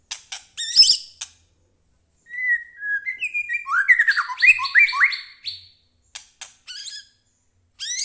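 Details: Captive-style White-rumped shama song played to stir other shamas into singing: opening staccato clicks and chips, then a long run of sliding whistles and fast, descending warbled notes, ending with more sharp chips.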